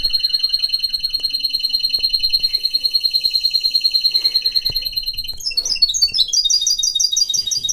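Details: Singing pet canary of mixed breeding gives a steady, rapid rolling trill with bright overtones for over five seconds, then shifts into faster, jumbled high chirping phrases.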